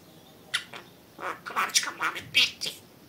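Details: Pet budgerigar talking indoors: a string of short, raspy, high-pitched speech-like bursts, chattered rapidly in a quiet room.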